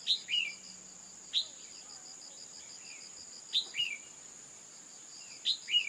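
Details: Female red-whiskered bulbul calling to trigger male song: quick high chip plus lower down-slurred note, pairs spaced about 1.7 seconds apart, steady high insect hum throughout.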